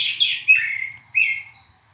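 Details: Short burst of oriental magpie-robin song: high scratchy notes, then a clear whistle sliding down, and a brief rising whistled note after a pause, in a quiet setting.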